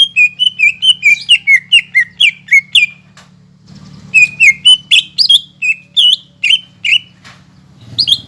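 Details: Lure song of a greater green leafbird in a cage, meant to provoke a silent caged bird into singing: fast series of bright, slurred whistles dropping and rising in pitch, about a dozen notes, a brief pause, then another excited run.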